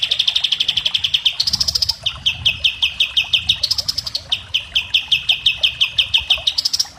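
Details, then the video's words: Common iora singing for use as a tutor recording for other birds: long rapid trills of sharp repeated high notes, steady runs broken by brief higher bursts, with faint low background rumble. "Masteran kapas tembak"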